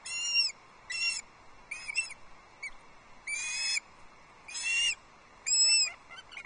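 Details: Osprey family at a Loch Arkaig nest in the Scottish Highlands, 2 August 2022, chicks disputing a fish delivery on a nest camera: loud, shrill, whistled piping calls in bursts of uneven length, roughly one each second, with quiet gaps between.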